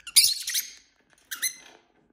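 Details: Pet lovebirds in a family flock indoors, playing and squabbling with each other: two harsh, broadband screechy squawks, the first around a quarter second in and the second about a second later, with silence between.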